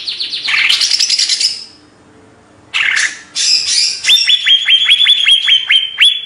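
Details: Banyuwangi greater green leafbird, Indonesia, giving a harsh rasping burst, a pause, then a rapid run of clear, evenly repeated whistled notes of steady pitch.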